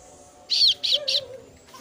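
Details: A female kasu-kasu chick gives a rapid triple of harsh, buzzy begging notes aimed at its parent, with a soft hum underneath.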